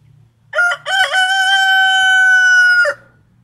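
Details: Roosters crowing: one long, loud, harmonic crow opens with a few stuttering notes, then holds a steady, even tone for about two seconds before dropping off sharply. A faint low hum runs underneath.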